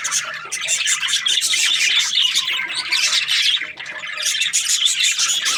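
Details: Budgies, Australian parrots, in a dense flock of overlapping high chirps and squawky chatter, continuous for the whole stretch with a brief dip near three and a half seconds; no other clear sounds.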